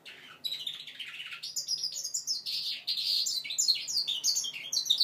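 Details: Young goldfinch mule, five months old, practising its song with a fast jumble of high twittering notes that rises and grows louder toward the end.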